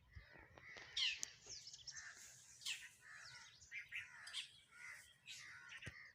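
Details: Sparrows chirping while eating food: quiet overlapping high chirps and short twittering notes from several birds, irregular and continuous, with occasional sharp clicks and faint background noise.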